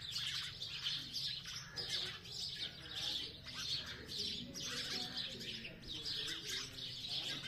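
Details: Sparrows chirping: a dense, continuous chatter of high, short chirps overlapping in rapid bursts, rising and falling in loudness every second or so, over a steady low hum.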